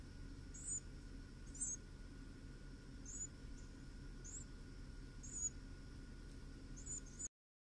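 Thin, very high peeps from a Carolina wren nest come in quick bursts about once a second, over a steady low electrical hum.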